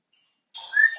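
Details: Pet African grey parrot whistling indoors, recorded 20 August 2022: after a short faint chirp, a loud clear whistled note holds steady with rich overtones, ending in a slight downward slur.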